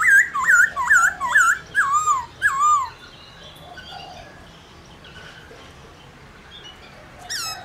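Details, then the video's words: Black-throated laughingthrush song used to stimulate other laughingthrushes to sing: a burst of about seven loud, clear whistled phrases, each sliding down then up, repeated quickly for three seconds, then near silence before one more whistled note. "Khướu Hót RÉO Kích Khướu Bạn Căng Lửa Sung Mãn Hót Nhanh"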